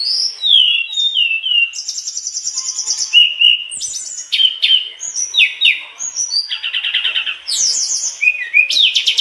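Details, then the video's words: A mangrove blue flycatcher in full song runs through its repertoire in a fast, varied stream of high whistles, sweeping notes and buzzy trills with almost no pauses. "Tledekan bakau gacor bongkar isian"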